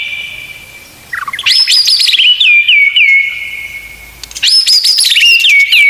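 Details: Murai batu, or white-rumped shama, in a masteran recording full of 'isian tembakan'. After a soft lead-in, two bright phrases of high whistled sweeps each end in a row of descending looping notes.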